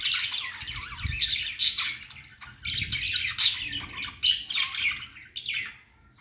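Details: Budgies making a cute, happy singing sound: lively, continuous scratchy chatter with buzzy squawks and brief warbled twists, in rapid bursts that fade toward the end, with faint low thumps.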